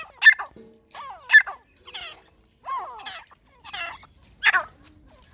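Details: Grey francolin, or white teetar, calling: six harsh, grating bursts at uneven intervals of about a second, some with sliding overtones, and a faint low hum in the background.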